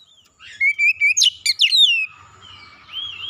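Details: Kacer, oriental magpie-robin, singing to excite another bird: a sustained whistled note, then a quick run of sharp descending chips and slurred whistles, followed by a softer wavering whistle.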